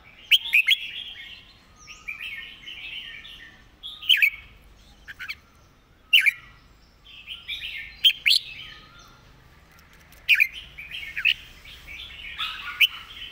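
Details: Red-whiskered bulbul delivering a quick, repetitive master song. Loud, sharp whistled notes come singly or in short clusters roughly every two seconds, set against steady soft warbling chatter.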